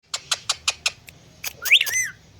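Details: Pet Indian green ringneck parrot on a plant, talking and dancing: a run of six short evenly spaced clicky notes, then a rising squawk and a wavering whistled call, indoors.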